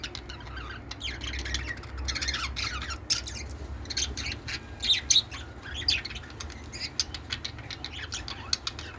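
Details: Budgies at play on a peach during mating keep up a continuous squeaky, twittering chatter with scattered sharper chirps, over a steady low rumble.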